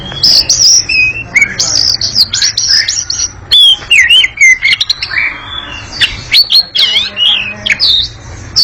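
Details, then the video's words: Busy, lively chattering song of an Oriental magpie-robin (kacer ngekek panjang): high rapid chirps and trills run into lower swooping whistles, then a fresh flurry of varied notes, almost continuous. "Kacer ngekek panjang sangat gesit dan berisik"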